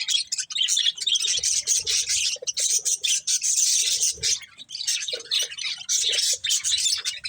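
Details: Pet budgies eating corn keep up a steady, high-pitched scratchy chatter, many overlapping chirps and warbles with only brief gaps.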